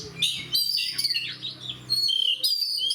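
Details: Oriental magpie-robin (kacer) in a fighting, full-voiced song state, kept as a cage bird: loud varied whistled phrases and sharp chirps, some rising and falling, with brief buzzy notes and short pauses; faint low hum beneath.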